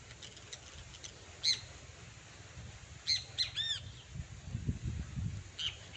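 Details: Great kiskadee pair outdoors in nature giving scattered short, harsh notes, then a ringing arched call with layered overtones midway. A steady low rumble and soft thumps run underneath.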